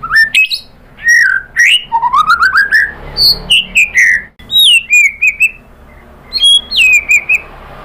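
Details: White-rumped shama singing a varied lure song to get other birds to reply. Rich phrases run from rising whistled slurs and quick ascending note series to clear descending whistles, with short gaps between phrases.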